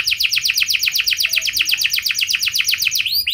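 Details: Canary singing a rich, long-shooting lure song to prompt other canaries to answer, here a fast even trill of clipped notes, about four each second, closing with two upward sweeps.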